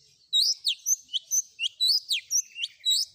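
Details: Combination 'isian' filler song of a long-tailed shrike, used for training: quick varied chattering of high slurred and whistled notes, each rising or falling, delivered in a steady jumbled stream.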